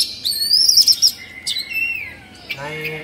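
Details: Agitated Oriental magpie-robin, a kept Indonesian songbird spreading its tail, sings high thin whistles that rise and hold, then a long falling slur and a brief low buzzy ending.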